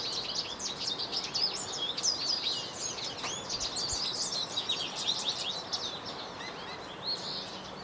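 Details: American goldfinch singing in a yard: a long, rambling run of bright, high twitters and sweet chirps, fast and varied, over a steady hiss of background noise.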